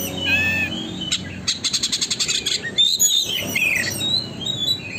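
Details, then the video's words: Oriental magpie-robin singing nonstop as a tail-opening lure: a brief whistle, then a rapid mechanical rattle of evenly spaced clicks, flowing into a jumble of high chattering and whistled notes. "burung kacer gacor konslet,pancingan agar kacer buka ekor"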